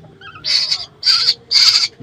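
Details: Hand-reared baby birds at home calling for food during a night feeding: three loud, broad, hissing screeches, each lasting about a third of a second, with a woman's voice coaxing them in the background.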